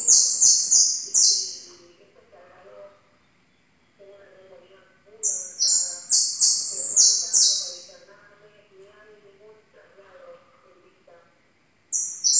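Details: Yellow goldfinch song in repeated bursts of fast, scratchy, high twitters and buzzy notes, broken by pauses, with quieter human speech murmuring underneath throughout.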